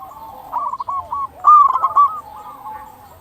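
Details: Local zebra dove cooing, used to lure other zebra doves and prompt them to call: a rapid run of short, soft, bubbling coos followed by a few lower trailing notes.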